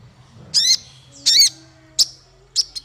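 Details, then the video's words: Male kolibri ninja (konin), for training songbirds: two drawn-out, strained high chirps about a second apart, then two short sharp ticks. "Suara konin untuk masteran burung 100%jitu konin jantan"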